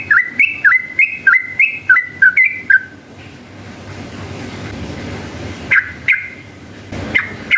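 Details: Long ropel song of a yellow-vented bulbul, used to provoke other bulbuls to sing: a rapid chain of about eight bright whistled notes swooping down then up, a quiet pause, then a few sharp whistles, with low hum beneath.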